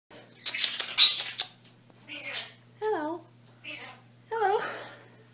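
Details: Young pet common starling under a year old, kept indoors and learning to talk, likely imitating 'hello' or 'meow': scratchy noisy bursts, then two wavering harmonic meow-like notes with short pauses between them in a quiet room.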